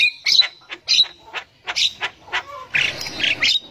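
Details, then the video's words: Javan myna in the wild, a female chattering as a lure to stimulate young mynas to sing, uttering a run of short, separate squawky notes about every half second, then a denser harsh burst at the end. "Burung Jalak Kebo Super Gacor Untuk Pancingan Jalak Kebo Muda"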